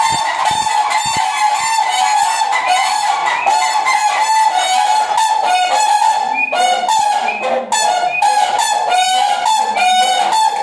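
A crowd of cranes trumpets nonstop, loud, rolling, bugle-like calls overlapping into a continuous clamor with no pause.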